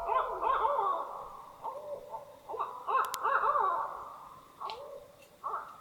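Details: Several barred owls on a lake in Algonquin Provincial Park, heard from a campsite in early spring, hooting in the distance: overlapping wavering, looping hoots and cackles that rise and fall continuously, forming a lively chorus.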